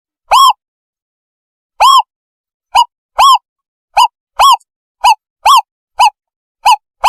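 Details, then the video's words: Owl call used as a lure for catching owls: spaced single arched hoots, slow at first and then quickening to about one every half second, heard against silence. "เสียงนกเค้า ต่อล่อ เสียงใส"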